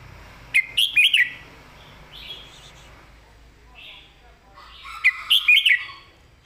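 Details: Caged red-whiskered bulbul singing its clearly phrased 'master song' style: two loud, bright, warbled phrases of quick rising and falling notes about four seconds apart, with softer whistled notes in between over a faint background hum.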